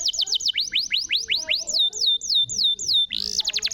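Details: Canary singing, played to stimulate a canary that has stopped singing: a run of quick upward-sweeping whistles, then slower downward slurs, ending in a rapid high trill.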